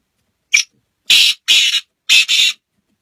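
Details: A brief sharp opening note from a Black francolin, followed by a pair of long grating notes and then a second pair, making a rhythmic, harsh, scratchy phrase with no other sounds.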